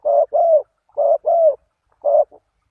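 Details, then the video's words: Lure call of a spotted dove for attracting wild doves: two low double coos, short then drawn-out and arched, followed after a pause by a single coo and a faint trailing note. "Chim cu gáy chiêu kích mồi"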